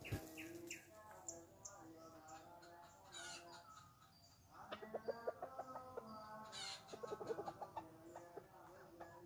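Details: Chickens in a jungle, heard while someone tries to catch them: harmonic clucks and short rising notes, strongest in the second half, with bird chirps and a dense background of other sounds.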